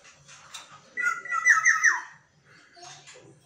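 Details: Caged pet black-naped oriole, kept indoors and singing each dawn, gives a rich fluted, warbling whistled phrase of about one second with a quick rolling ending, followed by faint room noise and soft background sounds.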